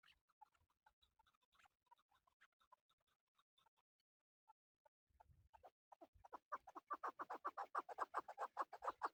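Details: Male chukar partridge calling for hunting: after scattered faint clucks, a loud run of rapid, harsh chuk notes builds and repeats over several seconds.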